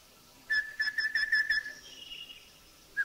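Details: Rufous-fronted Babbler from Thailand giving a fast series of about eight even, hooting whistled notes at one pitch over one second, followed by a fainter higher trailing sound and a single closing note.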